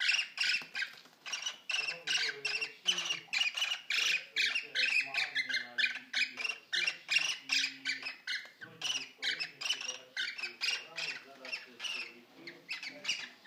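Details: Male cockatiel about one year old sings a lot while courting an older caged female during their first mating. Rapid, continuous harsh squawks and chatter fill the clip, with low human speech underneath.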